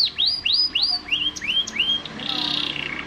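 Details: Canary giving a string of rising, hooked whistled notes that step gradually lower, followed by a short buzzy rush of sound at the end.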